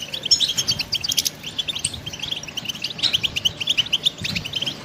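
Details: Kept as a pet, a European goldfinch gives a rapid twittering song of bright, high chirps, a brief harsher burst near the first second, then a run of clear repeated notes toward the end.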